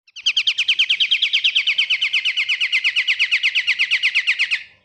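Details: A Pied triller sings a long, fast trill of about thirty sharp, chirpy notes over four seconds, each note slurred downward. The trill stays steady in pitch and fades slightly at the end against a quiet background.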